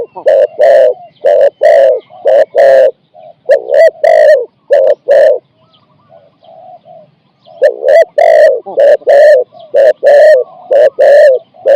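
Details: Spotted dove working as a decoy to trap wild doves, singing 'ang'-style coos of four to five notes: long runs of deep, rasping coos, a quiet pause midway, then a fast dense run.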